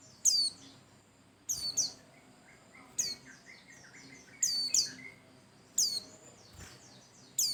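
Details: Energetic white-eye, pleci Bustomi type, singing to prompt other birds. Bright, very high falling notes in double bursts recur every second or so, with quieter lower twittering between them.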